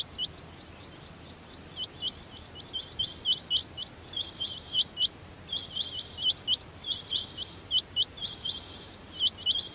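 Rain quail giving sharp, high metallic notes in quick pairs and triplets, repeated steadily over a faint background hiss.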